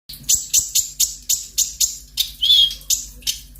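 An Olive-backed Sunbird fires off sharp, high ticking notes about four per second, with one thin whistled slur midway; a faint low hum sits underneath.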